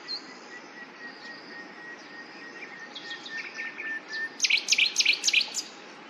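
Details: Common nightingale song: quiet soft notes building into a loud rapid series of sharp high chips near the end.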